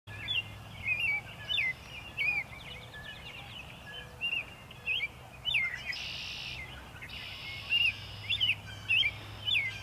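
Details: An American robin (Turdus migratorius) sings in early spring, March, in Ithaca, New York, USA: short, clear caroling phrases of rising and falling whistles in quick runs with brief pauses, with bursts of hiss and faint low hum.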